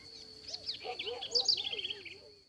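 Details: A house wren, recorded in a small rural area of Atlantic forest in Brazil, sings a quick, bubbly jumble of high chattering and trilled notes lasting about two seconds, over a steady high insect-like whine and faint lower calls.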